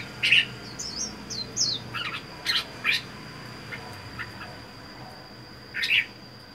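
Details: Caged Red-whiskered bulbul kept alone, caught wild and held four months, gives sharp squawky chirps and quick twittering whistles in scattered bursts, with a thin constant high hum behind.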